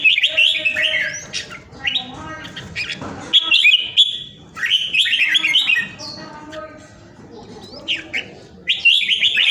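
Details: Red-whiskered bulbul from Vietnam, a caged pet kept at home during the Covid period, sings loud, warbled whistled phrases about every one to two seconds, with short gaps and a sharp clicking burst partway through.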